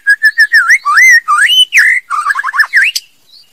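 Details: Female white-rumped shama in full song: a rapid, loud string of rich whistled notes, some looping and warbling, others short and repeated, building into fast chattering trills before stopping.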